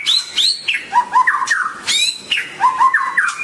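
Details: White-rumped shama song of sweet, downslurred whistled notes repeated in paired phrases, interspersed with sharp high chips and clicks, a melodious varied pattern.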